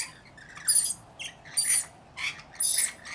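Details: Rainbow lorikeets in a mixed flock of about 40 looking after a lone baby give a quick series of four grating squawks, each carrying a high whistling edge.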